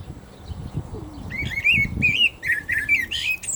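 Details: Common blackbird singing during the call to prayer. Several bright, fluting, warbled notes come in a quick sequence, some rising and falling, ending in a higher squeaky flourish over faint low background noise.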